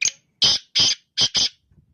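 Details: Close black francolin morning call: a short sharp note then four broad, grating, evenly spaced notes, loud and dry.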